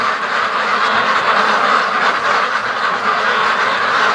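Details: Hundreds of free-range ducks crowd together on their everyday rush to the lake and back home, filling the air with a thick, steady mass of harsh quacking and chattering.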